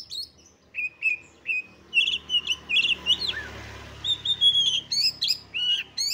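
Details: Oriental magpie-robin female used to provoke males to fight: short slurred whistles, then rapid chattering and warbled notes gathering pace, over a steady low background hum.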